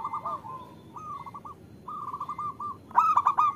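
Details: A female zebra dove, of local stock, calls to a male. Rolled, bubbling coo phrases in several short groups build into a louder cluster of clipped notes at the end.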